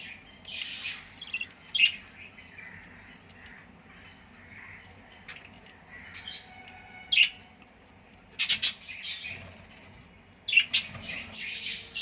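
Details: Budgerigar chicks playing in the morning: bursts of shrill, scratchy chirps and squeaky chatter come and go, with short sharp squeals between quieter stretches.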